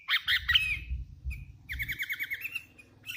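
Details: Hand-raised sooty-headed bulbul in active song: a few loud squawky chirps, then an evenly spaced series of short clipped notes at steady pitch, over a low rumbling background hum.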